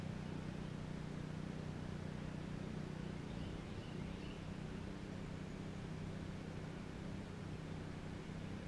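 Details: Steady broadband hiss with a low engine-like hum throughout, and no animal voices.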